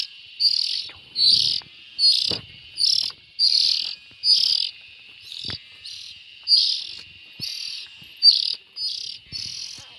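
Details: Harsh, hissing rasps from young bulbuls, a dozen buzzy bursts spaced about a second apart, with a few soft knocks and rustles beneath them.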